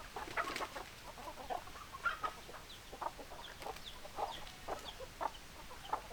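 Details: Chickens give short, sharp clucks spaced irregularly, roughly every half second, with a few higher squeaky notes in a steady, quiet background.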